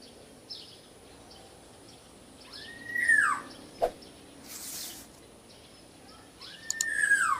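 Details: Small local Black-naped Oriole calling: two arched, whistled notes about three and a half seconds apart, each rising then dropping in a downward slur, with a sharp click and a brief burst of noise between them.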